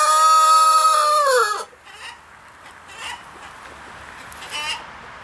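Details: Buff black Columbian rooster ending a long, loud harmonic crow that holds steady and then drops away, followed by quieter background clucks and faint calls.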